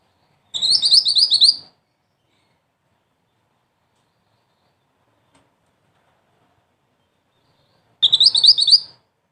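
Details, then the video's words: Two short high trills from a mantenan, a small bird with black and red plumage, roughly seven seconds apart. Each is a clipped run of rapid sharp notes with silence between. "Mantenan Mungil Cantik Dengan Suara Pedas"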